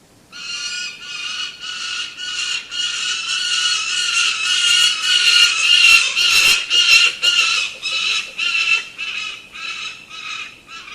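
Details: Falcon calling in a long, steady series of harsh, harmonic notes, roughly two per second, loud and close, growing slightly stronger toward the middle with no other clear sounds.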